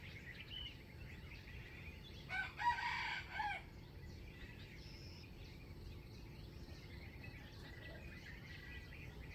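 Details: Wild chicken with a standard crowing voice, kept for trapping, 05/07/2025; one crow of roughly a second sits mid-recording amid continuous chirping birds, insects and steady outdoor hiss.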